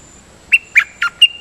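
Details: Sooty-headed bulbul decoy song from a seldom-used champion bird: four bright, slurred whistled notes in quick succession, each short and bending in pitch, with little other sound.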